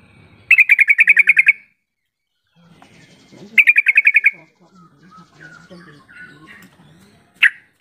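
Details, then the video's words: Two clear bursts of rapid, ringing chatter from a yellow-vented bulbul, each of about ten quick notes, then a single sharp note. The call is used to provoke mute or lazy bulbuls into calling back. "Suara panggilan trucukan yang seperti ini cepat merangsang trucuk bisu jadi ikut bunyi sahut sahutan"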